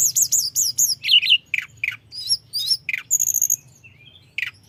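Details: Mountain flowerpecker (tledekan gunung) in energetic continuous song to stir rival birds: repeated high chevron-shaped notes, then varied sharp downslurs, squeaky twitters and a brief rapid trill, with a soft low hum behind.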